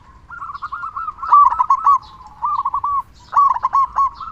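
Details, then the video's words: Zebra dove, local type, singing loudly as bait to make other doves sing: rapid pulsed cooing phrases rise and fall in strength, each lasting about a second, in quick succession. "Perkutut Lokal Gacor Suara Besar Pancingan Burung Perkutut Agar Cepat Bunyi"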